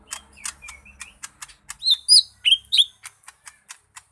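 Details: Lesser green leafbird song: a rapid series of sharp dry clicks interspersed with short whistled notes, then loud, sweeping, slurred whistles around the middle, before the clicking resumes.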